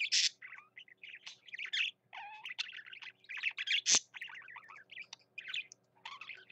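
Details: Male pet budgerigar warbling steadily, a chattering run of chirps, rasping buzzes and whistled squeaks with one sharp click midway.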